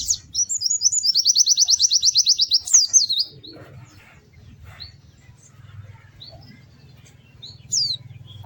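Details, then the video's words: White-eye known locally as pleci, in energetic melodious song: a quick, rhythmic trill of high chipping notes for nearly three seconds, then mostly quiet with low background hum and one or two faint notes. "Kicau Burung PLECI GACOR MERDU"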